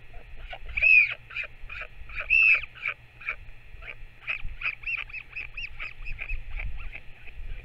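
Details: Northern royal albatross parent feeding its chick on 21 May 2024. Two loud arched wails are each followed by a rapid stream of short clucking notes lasting several seconds, with a steady background hum.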